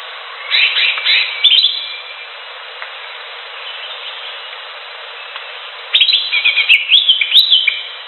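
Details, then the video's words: Cream-vented bulbul in the wild: a chattering warbled phrase, a long quiet gap with faint hiss, then a fuller burst of rapid bubbling, varied notes. "SUARA CUCAK HIJAU DI ALAM LIAR"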